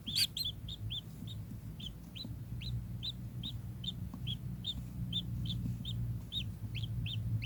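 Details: Kingfisher call: a long, even chain of sharp upswept notes at roughly two to three per second after a loud opening note, over constant low hum.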